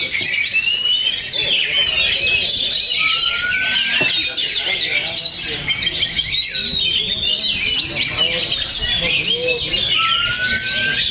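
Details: Several Oriental magpie-robins sing at once at a bird-singing competition in Cikeas: a dense, varied chorus of bright whistles, chatters and long rising slurred notes, with a murmur of people behind.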